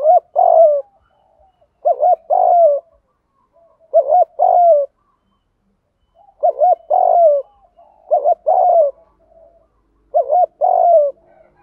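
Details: Spotted dove decoy, 'gù thúc' style, calling to lure doves: regular phrases roughly every two seconds, each a clipped double coo followed by a longer, lower, falling coo.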